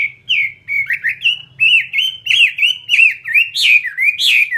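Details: Chinese hwamei, a fighting-type bird (họa mi chiến), singing loud, rich whistled phrases that dip and slur, repeated about every two-thirds of a second, with a few higher sharp notes toward the end and faint low hum beneath.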